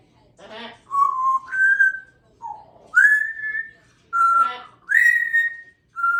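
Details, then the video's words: Chatty captive African grey parrot whistling indoors: a string of pure, held whistled tones, some level, some rising, one dipping low, broken by two brief harsh voice-like bursts. "the African Grey Parrot is quite chatty this morning."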